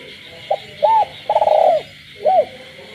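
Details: Captive spotted dove cooing after dark in the countryside: a brief note, a smooth arched coo, a long vibrating rolled coo, then a final arched hoot, set against a steady frog chorus.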